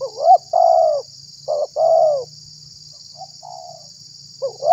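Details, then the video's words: Spotted dove call played to lure wild doves and excite rivals; hooked rising notes each followed by a drawn-out mellow coo, a faint quiet note midway, then another rising note, steady hiss throughout. "SUARA BURUNG TEKUKUR UNTUK PIKAT DAN PANCINGAN"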